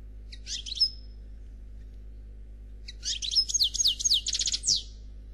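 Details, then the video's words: European goldfinch ('Noir') delivering Khalwi song without faults: a brief opening chirp, a quiet gap, then a bright tumbling phrase of repeated high tinkling notes lasting about two seconds, over a faint steady hum. "Chardonneret Noir Khalwi Chant sans fautes"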